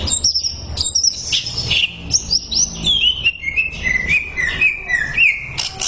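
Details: Greater green leafbird song from a tutor recording: bright high notes opening into long descending whistled glides and wavering slurs, delivered in one rich continuous phrase.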